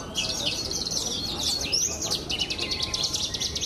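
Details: Pied Javan bush lark, a recent best-of-the-best winner at a bird contest, sings varied high chirps leading into a rapid buzzy trill.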